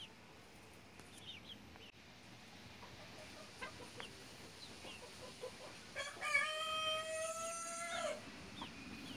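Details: Young rooster crowing: one strained, drawn-out crow rising then held level for about two seconds, preceded by faint chirps and clucks in a quiet noisy background.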